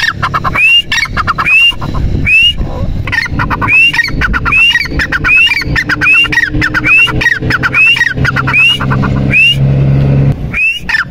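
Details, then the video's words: Partridge (teetar) call series: upward-slurred whistles alternating with harsh rattling clicks, repeated rhythmically about once per second, loud and close, over a constant low droning background. "Teetar ki awaaz | teetar ki Awaz | Dakni Ki Awaz| teetar voice | teetar ki boli | dakhni teetar"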